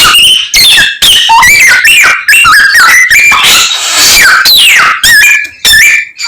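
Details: Chinese hwamei singing energetically with copied calls of many birds; choppy phrases of clear whistles that wobble, step up and down, and end in long falling slides.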